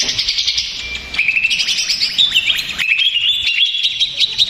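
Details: Greater green leafbird singing agitated, stressed song used as a lure to provoke other leafbirds; a high, continuous stream of rapid chattering notes and sweeping whistles, growing louder and denser after the first second.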